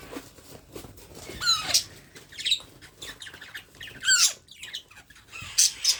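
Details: Baby parrot being hand-fed, giving harsh raspy chirps and squawks in short bursts about every second or two, some with falling harmonic sweeps, with soft handling noises between.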